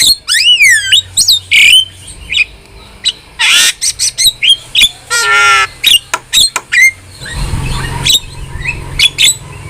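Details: Starling song offered as training material for pet starlings. It opens with a descending run of wavering whistles, then harsh rasping bursts and sharp chips, and ends in softer scattered notes over a low rumble.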